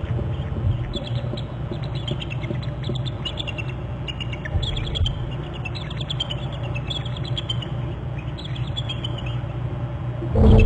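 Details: Eagle trills from the Hornby Island nest territory at 12:46 on 22 January, as both eagles leave their tree: high, thin chittering phrases come in repeated bursts over a heavy low rumble of wind or distant traffic.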